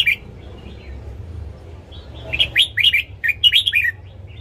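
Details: Morning song of a red-whiskered bulbul, played to train caged birds. After a lone opening note, a rapid run of about eight bright chirping, warbled notes follows in the second half over steady low background hum.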